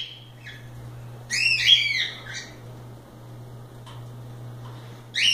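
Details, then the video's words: Free cockatiels playing give one loud arched harmonic call after a quiet second, with faint soft chirps before and after and a final call starting at the end, over a steady low hum. "Calopsitas Live Canto dos pássaros"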